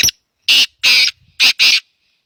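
A black francolin gives a harsh, grating phrase of five scratchy notes: a lone clipped note, then two paired bursts, loud and high-pitched, with no other sounds.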